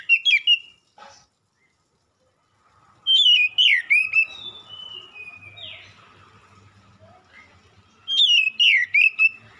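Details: Oriental magpie-robin song used as a lure that draws a quick reply. Loud bursts of rich, warbling whistled phrases with quick up-and-down slurs repeat at intervals of about five seconds. Softer, long descending whistles sound between them.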